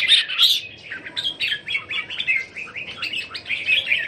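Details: Several captive Red-whiskered Bulbuls at a Thai home, 27 January 2021, give a steady stream of quick, sweet chirping notes and short warbles in overlapping bursts, with two louder squeaky notes at the start.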